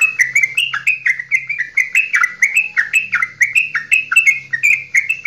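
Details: Javanese straw-headed bulbul singing a long goklikan song meant to stir other bulbuls into singing: loud, rich, warbled notes repeated rapidly, about four per second, each sliding up or down, with a faint low hum beneath.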